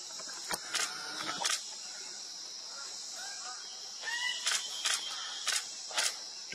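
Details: Lesser bird-of-paradise at Klasouw, West Papua, giving harsh, explosive calls, single and in pairs, every second or so, over a steady high insect drone and faint whistles from other birds.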